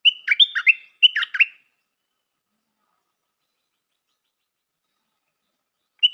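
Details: Two quick stripe-throated bulbul phrases back to back, each a whistle followed by chattering warbled notes, from a new decoy bird; a long silence follows before one last note begins.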